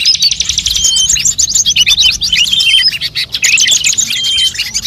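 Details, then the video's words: Bird lure track for attracting every bird species: quick bursts of high chirps and warbled trills in two busy runs, with a thin sustained whistle and short gaps between the runs. "suara pikat semua burung"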